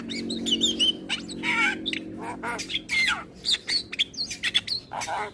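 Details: Javan pied starling singing in the morning, drawing replies from neighbouring starlings; wavering whistles, harsh buzzy squawks and clicks tumble together, with a low hum underneath.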